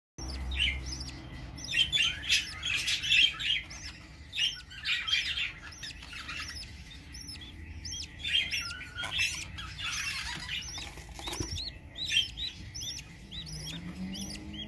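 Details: A mother budgerigar with her young chirp and twitter in a busy stream of short, bright notes.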